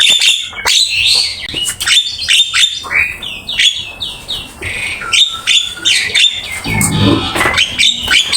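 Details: Javan myna singing hard, a master song for training: series of clear downslurred and upslurred whistles alternating with sharp chattering clicks and scratchy notes.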